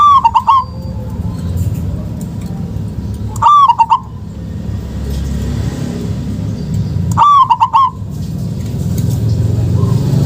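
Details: Zebra dove from local stock, a lure to get silent doves calling: three brief bursts of fast, rolling coos roughly every three and a half seconds over a low rumbling background.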